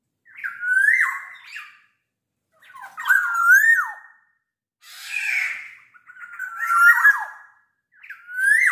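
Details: At night, a black-naped oriole delivers energetic fluty whistles mixed with harsher, raspy notes. Five phrases come in quick succession, some sliding upward, others buzzy and squawking, with brief pauses between.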